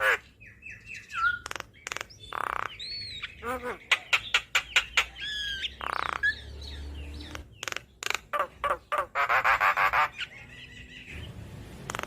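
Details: Javan myna (jalak kebo) singing vigorously, a training recording for cage birds: a busy jumble of harsh squawks, sharp clicks, whistled slurs and rapid rattling notes in irregular bursts, with a dense buzzy rattle near the end.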